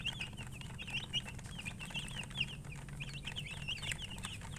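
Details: Colour chickens chirping as a group, clustered runs of high, slurred peeps crowded together and then briefly thinning, with a continuous low hum underneath.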